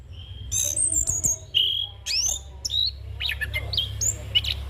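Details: Young orange-headed thrush singing a varied rolling song meant for training and luring other birds: separate clear whistles and sharp rising slurs, spaced irregularly, with a persistent low hum behind.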